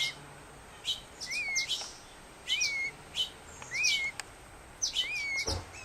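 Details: A fledgling Black-headed grosbeak in rehabilitation care, not yet feeding himself, begs with high, thin chirps and soft upswept whistles, trembling his wing, in bursts about a second apart over faint hiss. Black-headed Grosbeak.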